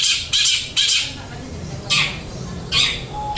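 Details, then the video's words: Long-tailed shrike song billed as flowing material, given as scratchy high bursts separated by uneven pauses, one brief pure whistle near the end. "Cendet materi mengalir"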